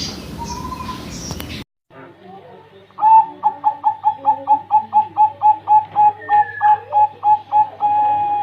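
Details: Zebra dove (perkutut) calling: after a brief muffled noisy start and a pause, a rapid run of about seventeen short, clipped, evenly pitched cooing notes, roughly three per second, with faint extra notes behind.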